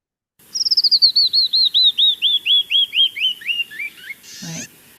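Canyon Wren song: a cascade of about twenty clear whistled notes, starting fast and high, dropping steadily in pitch and slowing, ending in a brief raspy buzz.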